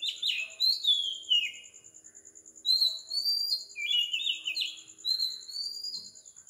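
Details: Sri Lankan Oriental magpie-robin singing at 4 am: clear whistled phrases, some sliding down, others held flat, delivered in short groups over a faint continuous high pulsing.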